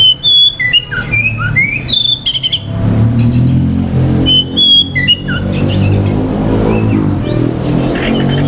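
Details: Oriental magpie-robin singing to provoke other magpie-robins' aggression and breeding urge: a quick burst of bright whistles and chirps in the first seconds, then fainter scattered notes over a steady low engine-like rumble.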